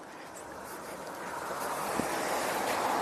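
Steady wind and surf noise with a boat engine rumble and a faint voice, no animal calls heard.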